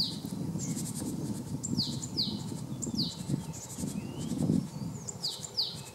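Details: Male Great Tit (Parus major) in Zagreb, Croatia, at Jarun, recorded in March 2015. It gives high, thin, down-slurred calls in quick pairs and short runs, over a steady low rumble of background noise.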